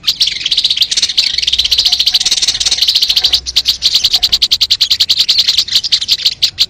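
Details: Crested jay, a recording used to lure wild birds: a dense, fast buzzy rattle of high clicking pulses, running almost without a break and pulsing slightly in loudness throughout.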